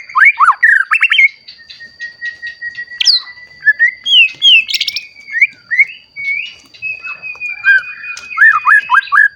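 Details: White-rumped shama in full song, kept for triggering other shamas to sing: a long thin sustained whistle threads between quick downslurred notes, bright flourishes and rhythmic repeated phrases, with a steady high background tone.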